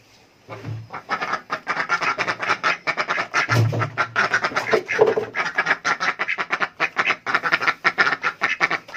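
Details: Adult ducks asking for food: a dense, rapid run of harsh, nasal quacks that overlap and repeat several times a second, with no pause across the whole stretch and a low hum at the start.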